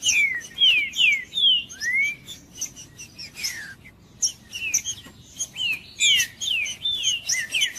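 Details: Green-winged saltator song for warming up a cold bird: repeated clear whistled phrases, mostly falling slurs with one rising sweep, interleaved with high sharp chips and brief pauses.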